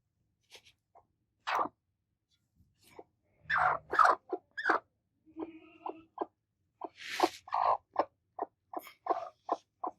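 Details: Two angry broody hens attacking: uneven clucks at first with a brief low hum, then a burst of loud grating squawks. Short mid-pitched clucks follow, coming faster near the end.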